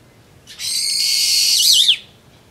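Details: A brown-eared bulbul, calling while drinking juice on 26 April 2012, gives one loud, harsh, screechy call lasting about a second and a half, ending in a quick wavering twist; perhaps calling to another bird.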